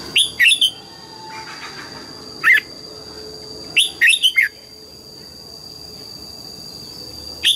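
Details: Red-whiskered bulbul singing in the morning, double-note wild-style phrases: bright slurred whistles in bursts of three or four near the start and middle, a lone note between, another at the end, over a steady high electrical whine.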